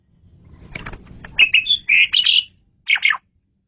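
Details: Short burst of Asian pied starling masteran song with buzzy, rasping notes and a clear whistle, over faint low background noise, ending after a pause with one harsh note.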